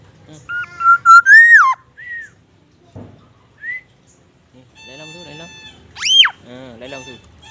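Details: Black-naped oriole in full song, mimicking magpie robin and ambulance siren: a rich whistled phrase that rises then falls, short slurred whistles, then a burst of harsh nasal bleating notes and a sharp high upswept whistle.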